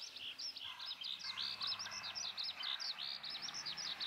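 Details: Eurasian skylark heard at a pasture in Hoki town, Tottori, at the start of the rainy season on an overcast, rainy day: a continuous, fast, high warbling of chirps and trills, with a low hum beneath.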